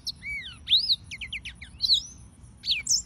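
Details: Yellow-fronted canary song: arched and rising whistles mixed with a cluster of short repeated chips, then longer slurred notes and a high falling whistle, with small gaps between phrases.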